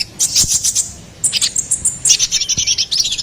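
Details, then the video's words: Konin kolibri ninja, the ruby-cheeked sunbird, in a lively song kept for training and luring songbirds: bursts of high buzzy twittering, a short pause, then another scratchy high-pitched burst. "SUARA GACORAN KONIN KOLIBRI NINJA"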